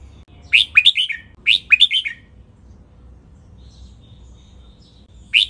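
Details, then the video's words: Red-whiskered bulbul singing the 'double' song style with 23 counted notes, a recording used to train birds: two quick phrases of about five bright, slurred whistled notes each, then a lone note closing after a quiet pause with faint background hum. "นกกรงหัวจุก | เสียงร้องเบิ้ล 23 นับดอก คมชัด 100% ไว้ฝึกนก (เสียงฝึกร้อง)"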